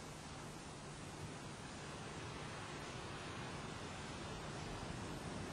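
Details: Steady broadband rushing noise like wind and surf, with no animal calls audible.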